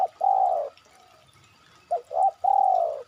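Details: Spotted dove calling, used as a lure to draw other birds into calling: a short low note then a long, smooth coo falling slightly in pitch, the phrase repeated after a pause with a quick two-note lead-in.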